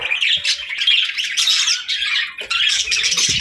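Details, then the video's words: Budgerigars in the evening chatter nonstop while playing, a dense, high warble of squeaky chirps and scratchy notes, several birds overlapping with no pause. "Parakeets Chirping & Playing"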